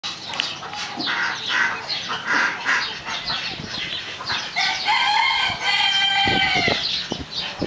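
Swinhoe's pheasant gives harsh, fowl-like clucking calls in quick bursts, then a louder, drawn-out hoarse call; some faint wing noise.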